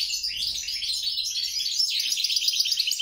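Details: Hybrid mule of European goldfinch and grey-crowned goldfinch singing a dense, unbroken high twittering stream of quick tinkling notes and short trills, steady throughout with no other sounds.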